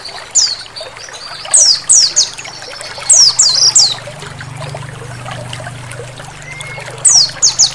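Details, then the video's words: An oriental white-eye gives thin, very high, quick downslurred chirps in bursts of two or three over a steady wash of running water, played as therapy to get white-eyes singing. "Terapi pleci suara air mengalir sangat pas untuk merangsang pleci buka paruh."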